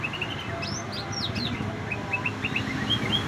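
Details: Canary singing a song filled with cucak ijo phrases: short high whistled notes and quick rising and falling slurs, repeated in bursts over a steady low background hum.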